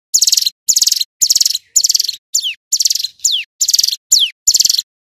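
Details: Vigorous male Hill prinia song in 'ngebren' style, loud and clear. Chattering buzzy rattles dominate, with a few sharply descending whistles between them, ten rapid phrases.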